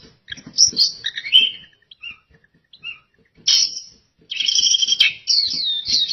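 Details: Oriental white-eye song in broken phrases: scattered high chirps and brief whistles, a near-silent stretch, then loud, dense bursts of rapid twittering toward the end.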